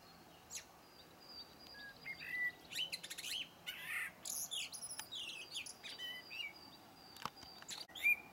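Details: Blackbird song: rich fluted whistled phrases in the mid range, each ending in high thin twittering squeaks, delivered in bursts over a soft steady background hiss.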